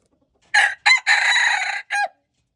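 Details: Red junglefowl recorded February 13, 2025, crowing loudly in four harsh, broadband bursts: two short opening notes, a long drawn-out middle note of nearly a second, then a brief closing note, against a silent background.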